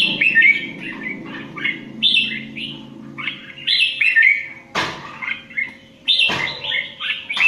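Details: Indian red-whiskered bulbul in competition singing: repeated bright, warbling whistle phrases with brief gaps, broken by two loud knocking thuds, and a low hum in the background.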